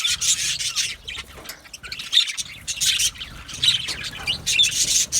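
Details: Several budgies in an aviary colony warbling and chirping, harsh high chatter coming in waves, louder at the start and end with a softer patch in the middle.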